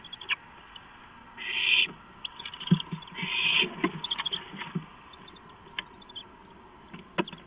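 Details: Owlets at a nest, all grabbing a large rodent delivered shortly before 1 a.m. on 23 March 2015; two harsh, hissing screeches of about half a second each, separated by scattered clicks, knocks and scuffling.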